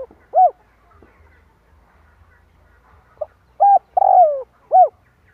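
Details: Spotted dove cooing for stimulating a decoy bird in trapping: an arched coo, then a pause with soft knocks, then one full phrase of short coo, long burry falling coo and final arched coo.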